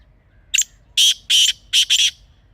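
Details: Wild Pakistani black francolin recorded in a natural environment as a hunting lure. It gives a harsh phrase of five notes: a short click-like start, two drawn-out rasping blasts, then a quick paired rasp, all loud and distorted.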